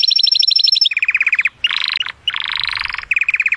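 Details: An excited canary sings to stimulate the female to mate: fast trills of repeated high notes switching to a new phrase about every half second, with brief buzzy rolls between.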